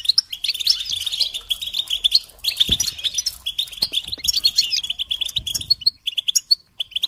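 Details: Goldfinch singing in energetic bursts of sharp tinkling chirps and quick trills, separated by short gaps, with occasional low thuds and faint fluttering sounds behind the song.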